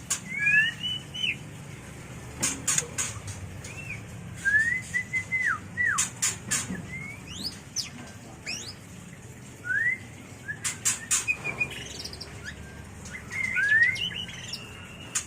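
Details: White-rumped shama mating song, used for training and luring birds: repeated short phrases of rising and falling whistles separated by pauses, with loud clicks and rustles in between.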